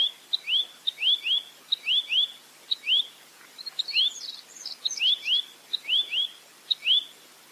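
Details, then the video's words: Velvet-fronted nuthatch song in a clear 'full roll tembak' recording: ticks followed by doubled or tripled upward whistles, a burst of softer high twittering at mid-point, then the steady phrases return. "Masteran Burung Rambatan Mandarin Jernih Full Roll Tembak"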